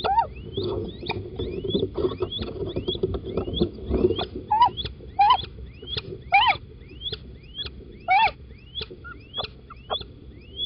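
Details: Little owls, a male and a female together inside a nest box at Holten on 4 March 2020, morning; a quick series of thin rising squeaky notes, some doubled, with a few harsh broadband bursts and low rumble beneath.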